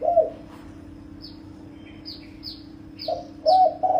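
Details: Spotted dove calling to lure wild birds: one brief low coo at the start, a pause filled with faint high descending chirps from another bird, then a run of soft coos at the end, all over a steady hum.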